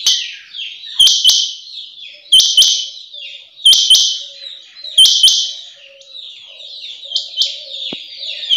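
Rain quail female calling: sharp, buzzy high notes in quick pairs, repeated about every one and a quarter seconds, with softer trailing notes between.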